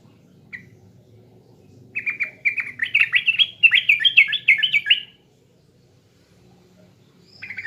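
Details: Pancingan lure song of an East Javan trucukan, or sooty-headed bulbul: a single tentative note, then a three-second cascade of quick, liquid, chirruping notes that swells and stops, with another note starting at the end.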